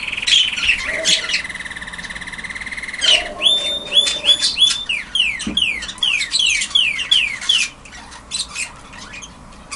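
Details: Young caged red factor canary in an aviary, still learning to sing, giving his best attempt so far: squeaky chirps and a long buzzy note, then a run of rapid repeated downward-slurred whistles, fading toward the end.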